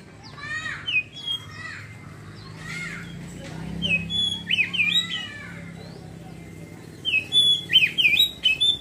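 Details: Oriental magpie-robin (kacer) singing in the ngeriwik style, then opening into full song: clear whistled notes and rapid chattering twitters in bursts, with short pauses between phrases. A low hum runs underneath.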